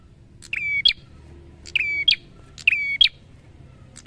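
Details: Prinia (prenjak) singing, used as training sound for other birds: repeated phrases about once a second, each a buzzy burst, a flat whistled note, then a sharp click-like ending, with faint low background hum.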